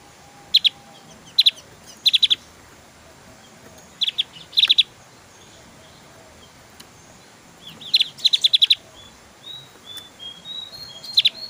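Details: Lively Javan grey-throated white-eye song in 'tembakan' style: bright, sharp chip triplets spaced every second or two, then a longer rattling run of high notes near the end.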